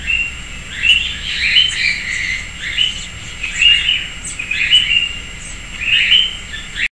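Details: Sayaca tanager, a common urban bird, visiting a persimmon tree in a residential backyard in Piracicaba, São Paulo, Brazil, gives thin, squeaky, high-pitched notes in short bursts about every second over a faint steady hiss.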